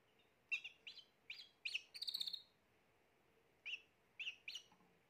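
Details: Spanish Timbrado canary, the third of this year's 2020 birds, singing: short, bright, rising chirps spaced under a second apart, then a quick rattling roll. A pause follows before three more chirps, over a faint steady low hum.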